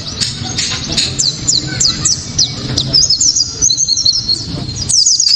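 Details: Sharp, clear 'tembakan' of a white-eye (pleci kaca mata), used to make other white-eyes sing: spaced high downslurred chips, then a quicker twittering run of thin notes and a final burst, over light background noise.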